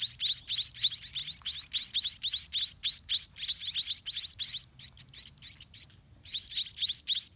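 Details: Nestling white-rumped munias beg while a parent regurgitates food to them in the nest: fast, shrill, upslurred squeaks in rhythmic bursts of roughly four per second, with a brief pause before the chorus resumes.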